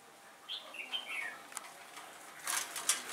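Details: Decoy red-whiskered bulbul used for trapping on a windy day, 15 October 2017, singing competitively to lure wild birds: a short warbled phrase of descending whistled notes, followed by sharp broadband clicks and rustling.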